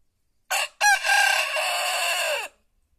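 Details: Countryside crowing of a white rooster: a brief clipped opening note, a quick second syllable, then a long sustained, slightly falling harsh cry lasting almost two seconds, ending abruptly into silence.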